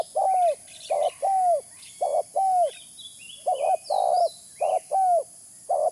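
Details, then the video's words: Spotted dove lure call. Low, rounded coos are repeated in pairs about once a second, with the longer note dropping in pitch at its end. Some high thin chirps from other birds are heard faintly behind. "Suara pikat terkukur original"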